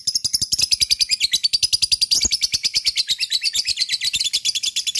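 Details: Lovebird in ngekek song, a long unbroken rattling trill of rapid shrill chirps repeated about eight times a second, steady and high, played to prompt other lovebirds to sing along.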